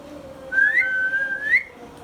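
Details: Tame pet Indian ringneck parakeet whistling indoors: a rising whistled slur, a long steady held tone, then a second quick upward sweep, all clear against a quiet room.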